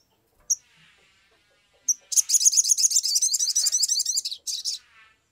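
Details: Sumatran leafbird singing emotionally, used as a lure to make other birds sing quickly; two sharp high notes, then a fast, dense, scratchy chattering run of about three seconds and a short final burst, all very high-pitched.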